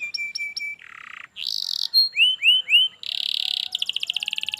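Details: Canary song for tutoring a silent canary into singing: clipped high notes, a low buzzy roll, three upswept whistles, then dense rattling trills in quick succession.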